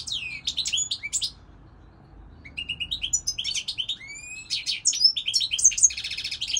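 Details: European goldfinch song in two bursts separated by a brief pause. Bright tinkling twitters, rising whistled slurs and a closing rapid buzzy trill are set against a quiet background.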